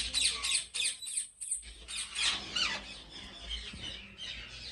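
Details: Rose-ringed (ringneck) parakeets at a large breeding farm in Pakistan give harsh, high squawks and screeches, several birds overlapping in rapid bursts, with a faint background hum.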